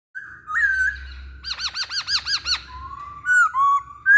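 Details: Masked laughingthrush singing as a lure to get other birds singing: a level whistle, then a run of about nine rapid arched, harmonic-rich notes, followed by sliding whistles and a final upward note.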